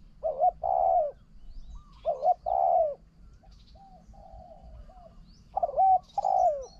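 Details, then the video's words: Spotted dove used as a decoy against a wild bird: deep, hollow two-part coos, a short note then a longer, wavering one. Three phrases are spaced about two seconds apart, with soft warbling between and a faint low hum. "ต่อนกเขาใหญ่ นกเขาใหญ่"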